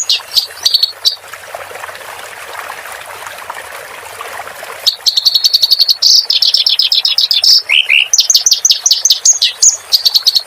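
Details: Clamorous reed warbler song for training cage birds, with water sounds added. A few sharp notes and a long stretch of rushing water lead into energetic chattering song, with fast buzzy runs and rising slurs.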